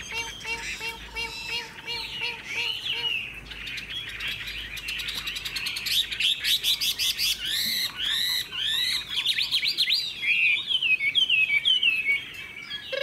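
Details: Tame caged Chinese hwamei singing in the tail-flicking laughingthrush style: a steady row of low, soft repeated notes gives way to loud, rich whistled phrases, rapid trills and swooping slurs in energetic bursts.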